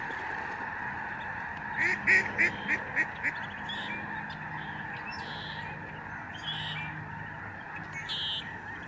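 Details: Lesser Snow Geese in a huge overhead flock at a Canadian bird sanctuary, November 2011. A nearer bird gives a quick run of about six loud, nasal honks over a background roar of massed calling, with more loud calls later.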